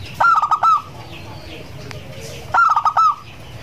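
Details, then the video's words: Champion zebra dove whose song is played to prompt other doves to sing. A fast, rolling phrase of mid-pitched cooing notes ends in a longer note, and the phrase is given twice about two seconds apart over a low background hum. "pancingan suara perkutut juara"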